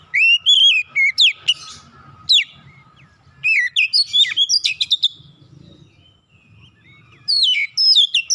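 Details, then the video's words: Provoked kacer, the oriental magpie-robin, challenging a rival with its mimicry fill; three separate bursts of sharp, looping whistles and chips with soft rumbling background noise between them. "sekali pancing Kacer lawan langsung gertak naik emosi bongkar isian"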